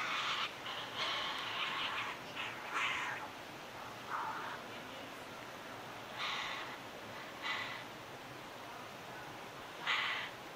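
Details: Tawny frogmouth fledgling giving night-time contact calls after dark, as a parent feeds it, in Melbourne, Victoria, on 6 Dec 2020: harsh, hissing rasps in short irregular bursts, some clustered, others seconds apart, over faint hiss.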